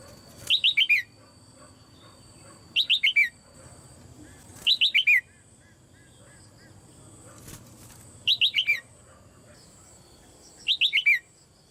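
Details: Female red-whiskered bulbul calling from a cage to encourage other birds to sing, repeating five bursts of four rapid, downward-stepping high chirps roughly every two to three seconds.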